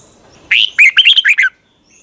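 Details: Red-whiskered bulbul morning training song, long double twisting voice style. A single crisp phrase: a rising opening note, then five or six quick, liquid, up-and-down whistled notes, ending in clean silence.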